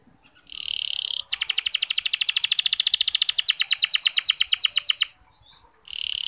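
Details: Local canary training song to get other males singing: buzzy tonal phrase, then a long rapid rattle of repeated notes lasting several seconds, followed by another buzzy phrase.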